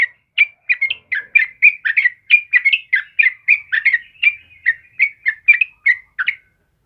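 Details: Yellow-vented bulbul singing to stimulate and tutor caged birds: a regular series of bright chirped notes, roughly three each second, sliding up and down, ending abruptly in silence.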